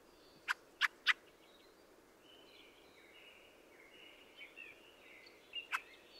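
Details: Fieldfare (Turdus pilaris) with a quick run of three rasping chack notes, then soft twittering and high warbles in the background, and a final single harsh note.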